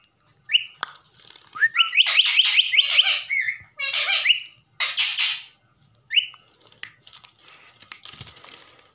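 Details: Whistles from a pet common myna mixed with harsh, squawky, buzzing bursts. Rising whistled notes open and recur between the rough, broadband phrases.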